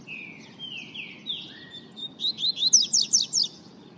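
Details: Double-collared seedeater song opening with a run of drawn-out, downslurred whistles that flow into a fast, buzzy series of about eight sharp high notes, each repeated roughly every fifth of a second, over a constant low hum.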